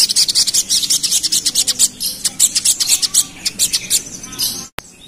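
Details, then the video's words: Agitated pied fantail (sogon) in ngerap style after being provoked: a nearly continuous stream of fast, harsh, high chips for over four seconds, ending in one sharp click. "Pancingan Ampuh Bikin Burung Sogon Emosi | Suara Sogon Ngerap"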